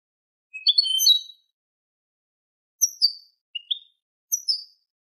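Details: Tutor recording of Eurasian goldfinch in the Malaga Manolo copla style, meant for teaching young goldfinches and hybrids: one longer tinkling, jangling phrase, then scattered short high chirps and paired notes after a gap, with silence between them.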